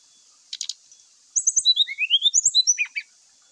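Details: A brown-chested jungle flycatcher delivers fight-provoking song: a short click burst, then a rapid sequence of bright whistled notes, rising and falling in quick succession for about two seconds, over faint constant high hiss.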